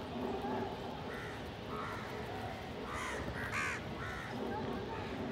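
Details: Group of crows feeding together, a pigeon nearby: spaced grating caws, two loud, harsh ones near the middle, others quieter, over a steady murmur of low background noise.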